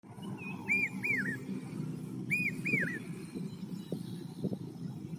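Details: A Common hawk-cuckoo (Hierococcyx varius) in Maharashtra, India, gives two shrill three-note phrases of arched, whistled notes, the phrases about one and a half seconds apart, over a steady low rumble.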